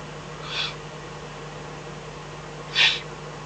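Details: Eurasian eagle-owl, Eifel, 24 May 2014, 03:40–04:18 at night, fox as food; a moderate hoarse hiss followed two seconds later by a stronger, harsh breathy burst, constant low hum.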